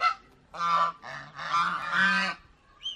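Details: Domestic geese at an aquarium park in Mysore, India, giving loud harsh nasal honks in three long bursts, each a rough blaring call with a low buzzy undertone, separated by brief pauses.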